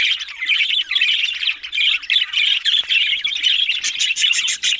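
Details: Budgies, the Australian parrot, give choppy bursts of harsh, squawky warbling broken by short pauses, ending with a run of rapid clicks.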